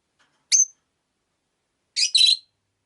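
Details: Rosy-faced lovebirds, five kept in a cage by a window: a sharp high chirp, then a pause and a harsh double chirp about one and a half seconds later, loud and clear against a quiet background.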